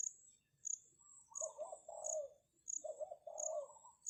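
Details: Decoy spotted dove calling to draw in wild doves: two deep, hollow cooing phrases, each a short run of rolling notes ending in a drawn-out coo, with a regular high cricket-like chirp ticking behind throughout.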